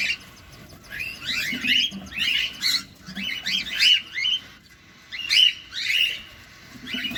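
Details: Cockatiel feeding at close range, giving dense, chattering groups of upslurred chirps, several per second in bursts, with brief pauses between groups.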